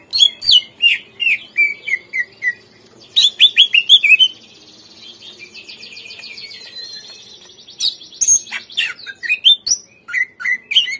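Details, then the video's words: Greater green leafbird song used as a lure to make untrained captive birds respond and sing: rapid falling whistled notes and sharp chirps, a long buzzy rattling trill in the middle, then bursts of quick high chirps. "PANCINGAN SUARA CUCAK IJO | AGAR CUCAK IJO BAHAN MAU NGERESPON DAN GACOR"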